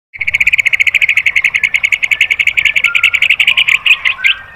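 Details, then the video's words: White-rumped shama (murai batu) training recording: a fast, buzzy rattle of sharp repeated notes, roughly ten per second, running steadily, with a few lower whistled notes slipping in near the end. "MASTERAN MURAI BATU biar EMOSI NYAUT jadi GACOR BONGKAR MATERI TEMBAKAN"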